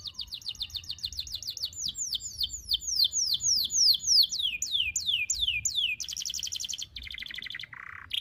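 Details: Canary song used as a master recording to train young canaries, a long single-breath phrase with sharp shots: fast repeated downslurred whistled notes, about 200 per minute, then a buzzy trill and a lower rattling note at the end.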